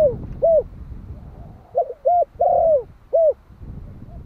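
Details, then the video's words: A young Malai spotted dove, one year old, cooing to lure wild doves. A complete low phrase is heard: a stuttered lead-in, a rounded coo, a drawn-out downward coo and a crisp closing hoot, over a faint background rumble. "Tiếng chim cu gáy Malai kích bổi - Thanh niên Malai 1 năm tuổi gáy gọi nghe giọng quá phê."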